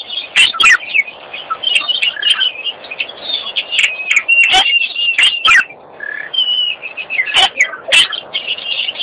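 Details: An Abdim's stork gives a steady run of high, thin whistles and chirps, broken every second or two by sharp, dry clicks.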